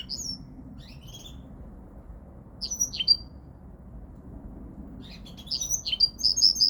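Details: Linnet × Canary mule producing sparse high chirps and twittered notes with long gaps, then a livelier burst of rapid repeated notes at the end, over a steady low hum.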